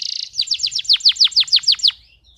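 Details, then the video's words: Male canary singing, meant to tutor young canaries and arouse females: a brief rapid trill, then a steady run of about ten sharp downward-sweeping notes, evenly spaced. "اقوى تغريد ذكر كناري حامي نار 🔥 ولا اروع للتسميع صغار الكناري وتهيج الاناث"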